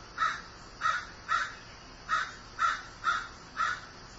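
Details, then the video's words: Harsh repeated cawing of a grieving crow: seven short, raspy notes in about four seconds, slightly irregular spacing with a brief gap midway, over quiet background hiss. "Grieving Crow"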